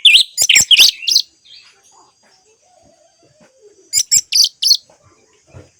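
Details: Orange-headed thrush song meant to coax a silent kept bird into singing: short loud bursts of high, looping notes, a long quiet gap with faint soft sounds, then another quick burst of sharp phrases.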